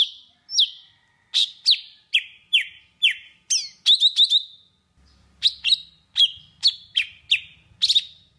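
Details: Golden-fronted leafbird from Vietnam singing a lure song used for trapping birds: rapid bright whistled notes sweeping down, many short sharp strokes in quick series, a brief pause near five seconds, then more ringing phrases over faint low rumble.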